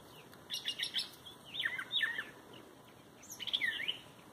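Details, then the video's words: Wild bird heard outdoors, not thought to be a mockingbird, giving clusters of high chirps followed by sweeping downslurred whistles and a final burst of chirps, over steady faint background hiss. "Bird sounds"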